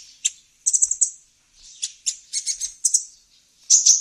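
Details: High-pitched sunbird chirps used as a lure for wild birds: quick clusters of sharp, thin ticks and short twitters, in irregular spurts with small gaps between them.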